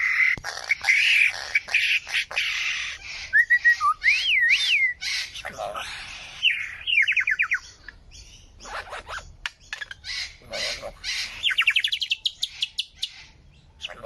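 A bird pours out a nonstop medley of changing sounds: harsh chatter, looping whistles, clicks and quick runs of rising notes, each shifting to the next.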